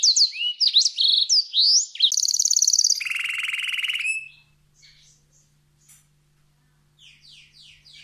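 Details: Canary pouring out competition-tutor song: rising and falling swept chirps, then a fast high buzzy trill dropping into a lower, rolling rattle, followed by softer scattered notes.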